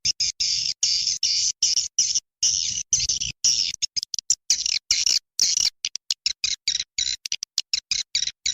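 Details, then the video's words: Swiftlets calling in dense, buzzy, high-pitched chirping trills that run almost continuously, chopped by abrupt silent gaps, with no other sounds present. "Suara Walet"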